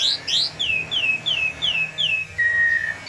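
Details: Persistently singing myna giving a series of clear descending whistles about twice per second, finishing with one long flat whistled note.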